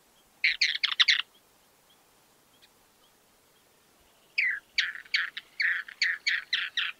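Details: Chotoy Spinetail from Argentina singing: a short burst of about five harsh, chattering notes, a silent gap of about three seconds, then a longer run of a dozen raspy, evenly spaced notes in quick succession; background otherwise quiet.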